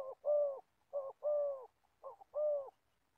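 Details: Decoy Spotted Dove, an old bird for catching wild doves in Gia Lai, Vietnam. Low, hollow coos come in three pairs: each is a quick note leading into a longer, smooth tone.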